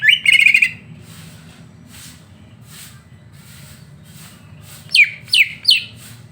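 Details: Greater green leafbird song used as a master recording to provoke another bird into singing: a buzzy trilled burst near the start, then three quick downward-sweeping whistled notes near the end, over a low background hum.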